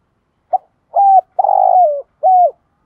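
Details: Spotted dove kept as a lure bird, cooing to entice wild doves. A short opening note, then a clear hoot, a longer rolling coo that sags downward, and a final level hoot, against silence.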